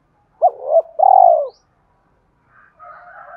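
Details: Low cooing of a spotted dove, used as a lure for training decoy birds: a double-note opening and a long even croo, then quieter warbling higher notes after a pause.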